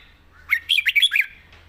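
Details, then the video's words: A caged red-whiskered bulbul, a young competition bird, sings one quick phrase of about six bright, liquid whistled notes that bounce up and down, lasting under a second in a quiet room. "ดาวรุ่ง ปากเบา สำนวนน่าฟัง #นกกรงหัวจุก"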